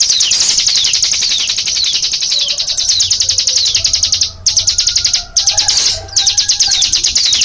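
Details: Hill prinia, locally cigun, in its shooting-style 'nembak' song: dense chattering trains of high, falling notes broken by two short pauses, with a few fainter lower chirps in between.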